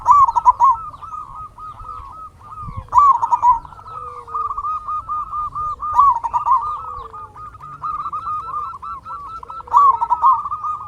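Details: Local zebra dove in full song, used as a lure to stir silent or stressed doves into singing: dense, rapid bubbling coos repeated continuously, with louder phrases about every three seconds and other doves overlapping faintly.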